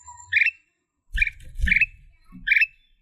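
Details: Black-capped bulbul singing in blorok style: three short bubbly phrases spaced apart, with low rumbling and knocking sounds between them.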